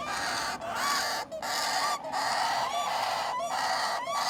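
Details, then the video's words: Hand-fed parrot chicks utter harsh, raspy begging calls with short whistled slurs, delivered in quick bursts about every two thirds of a second. "Parrots chicks on hand feed"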